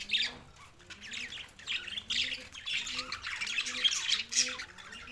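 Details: A pair of male budgerigars kept as pets keep up a bright, scratchy twittering warble with quick squeaks, over a faint low cooing that repeats in the background.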